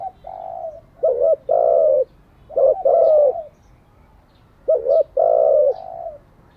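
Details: Spotted dove coos for daily decoy training: a soft opening coo, then three phrases of clipped double hoots followed by a long falling coo, the last after a quiet two-second gap.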